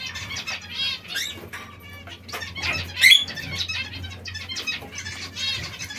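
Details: Several zebra finches pecking at seeds and fresh lettuce give busy, nasal, harmonic chirps in quick irregular bursts, with soft rustling and a low hum underneath.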